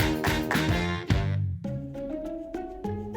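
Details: Bright children's music with plucked and struck notes in a bouncy rhythm, a dense chord passage giving way to sparser melodic notes, with no animal voices.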